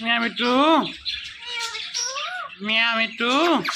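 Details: Pet talking parrot producing speech-like sounds: loud, voiced, harmonic syllables with rising and falling pitch, repeated in bursts with brief pauses and softer murmuring between.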